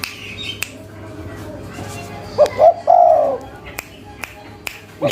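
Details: Spotted dove of a local strain calling in the cetrekan style: a single phrase of two brief hiccuping notes then a sustained falling coo, amid sharp clicks and a quiet background.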